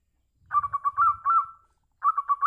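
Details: Local zebra dove calling, a call said to draw answers from every kind of zebra dove: a mid-pitched cooing phrase of quick pulsed notes ending in a drawn-out coo, then a second phrase starting after a short pause, with faint low rumble.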